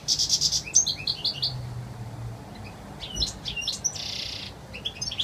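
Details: European goldfinch singing a clear wild-style song of fast, high twittering notes mixed with short trills, broken by a half-second buzzy, nasal stretch before quick chirps return; faint low hum underneath.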